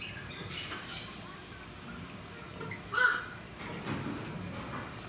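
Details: A galah (Eolophus roseicapilla) at Fukuoka Municipal Zoo, Japan, on 23 April 2019, gives a single short, harsh screech midway through, over steady background hum and faint voices.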